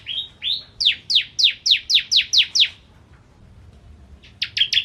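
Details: Bar-winged prinia in 'ciblek kristal' song, opening with two softer rising notes, then a rapid series of loud downslurred high notes, a silent gap, and a closing burst of quick chips.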